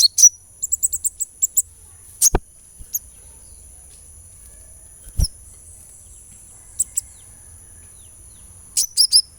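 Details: Sunbird therapy recording meant to prompt a kept bird into lively singing: an opening rush of rapid, piercing high chirps, then scattered single tweets, two loud dull knocks, and a closing cluster of sharp, bright notes, with a constant thin high tone behind.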